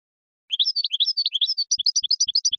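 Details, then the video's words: European goldfinch singing a fast, liquid twittering song of bright, jumbled high notes, with faint low thumps in a steady beat near the end; the song is said to stimulate males and excite females to mate. "تغريد حسون يحفز الذكر يهيج الأنثى للتزاوج"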